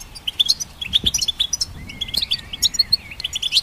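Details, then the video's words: ['Goldfinch song, hybrid birds kept to train songbirds: rapid twittering chirps and short trills, with a thin rising whistle near the middle, fairly continuous over the whole stretch.'] "Goldfinch Symphony"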